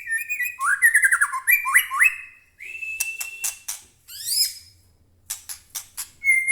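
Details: Caged White-rumped shama singing: looping slurred whistles in quick series, a long steady whistle, sharp rising high notes and scattered chips, ending on a clear whistled tone.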